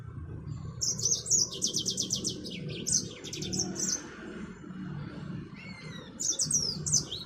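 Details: Caged Yellow-fronted canary, or African Mozambique finch, kept for breeding and tutoring, sings a lively, high twittering song of fast trilled chirps and slurred whistles in bursts, with a pause midway, over a faint low hum.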